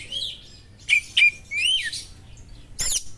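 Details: Oriental magpie-robin singing sharp small-bird material meant to stir another magpie-robin: thin sliding whistles, two sharp chips near one second, a rich warble, then a harsh high burst near the end over faint low hum.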